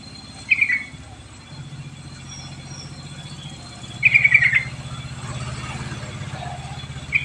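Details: A sooty-headed bulbul, recorded as a lure to make lazy birds sing, gives short rapid trilled phrases several seconds apart against continuous low motor rumble.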